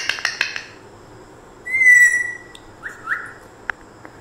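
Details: Pet African grey parrot gives a loud, slightly buzzy drawn-out whistle, then two shorter flat whistles a second later, after a few soft clicks and taps. A person speaks before and after.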